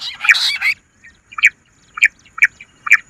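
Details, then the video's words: Bush quail lure call: a short cluster of harsh, squawky notes, then sharp single chirps spaced about half a second apart. "Bater ki awaaz madi gundari quilling sound bush Quil sound"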